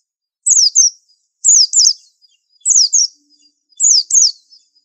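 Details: Paired high, clear chirps from a white-eye, each slurring downward, repeated roughly once a second with brief silences between pairs.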